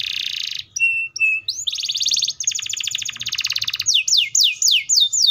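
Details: Canary delivering a loud buzzy roll, two brief level whistles, fast rattling trills, then a string of rapid descending slurred notes repeated about twice a second.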